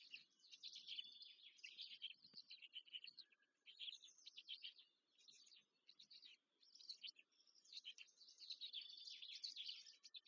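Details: Feeding time at a Black stork (Ciconia nigra) nest in Łódź, Poland, 14 May 2023: chicks keep up a loud, harsh, high-pitched chatter of clustered rasping bursts, pausing briefly several times.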